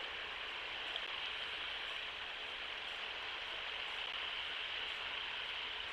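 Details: A soft, even hiss like rain on a surface holds steady throughout with no animal calls.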